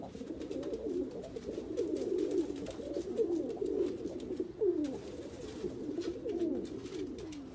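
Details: Persian fancy pigeons cooing: soft, low, rolling coos that repeat almost continuously, with a few sliding notes, heard through steady background hiss.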